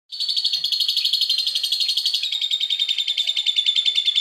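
Asian pied starling giving a continuous, shrill, buzzy chatter in quick pulses, mimicking a lovebird; the pitch steps slightly lower partway through. No other sounds.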